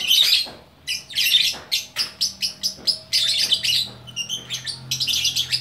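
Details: Lovebird from Bukittinggi, West Sumatra, singing gacor orkestra: choppy series of short, sharp chirps and scratchy bursts, some thin whistled notes, with quiet gaps between phrases.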